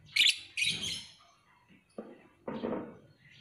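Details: Lovebird giving loud, harsh, buzzy chirps in short bursts, two quick ones close together, then a pause and two lower, rougher notes, with gaps of quiet between them.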